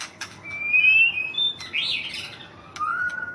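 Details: Thai champion white-rumped shama giving a few clear whistled notes, one high and sustained, followed by a buzzy burst and a low level whistle, with sharp clicks between.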